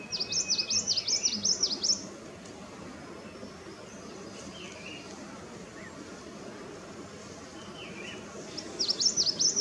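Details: A Chinese babax at Erdaoqiao, Sichuan, gives rapid bursts of high, thin chirping notes for about two seconds, then again near the end, with quieter scattered notes and soft background hiss between.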